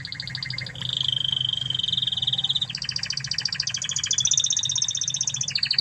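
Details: Song of an original Spanish-origin Timbrado canary: a short double-pitched trill, a long even metallic roll, then loud pulsed rattles climbing to higher tours and dropping back at the end, steady low hum behind.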